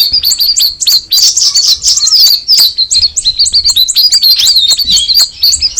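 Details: Sooty-headed bulbul singing a rapid, high-pitched twittering song of dense chirps and short whistled slurs, almost continuous with brief gaps; faint low rumble beneath.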